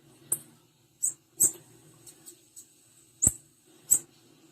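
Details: Female blue-black grassquit giving sharp, very high, thin chip notes, spaced irregularly about one to two seconds apart, with soft clicks and a faint low hum in the background.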